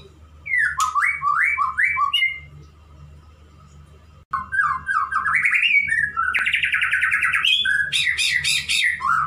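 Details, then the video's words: Male white-rumped shama courting a female, singing loud whistled phrases of rising and falling notes in quick runs, a pause, then brighter, higher, busier phrases with dense trills. "Murai Jantan merayu Betina bikin nyesek"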